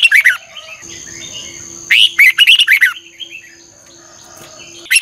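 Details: Red-whiskered bulbul in morning training song, delivered vigorously in a double-twist voice: short dense bursts of bright chattering, warbled phrases at the start, middle and end, separated by quieter background whistles, a steady high tone and a low hum.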